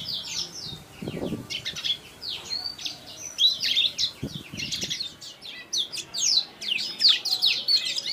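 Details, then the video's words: Young Blacktrout Somerini finches, bred in Klaten, chatter in quick, high, overlapping chirps, with a few brief bursts of wing flapping and soft rustles. "Anakan Blacktrout Somerini Suara Jernih Original"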